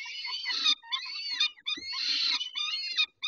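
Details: Peregrine falcons at feeding time, 19 May 2021 at 11:48: shrill, wailing harmonic calls in three main bursts, with a brief thump in the middle and soft rustling.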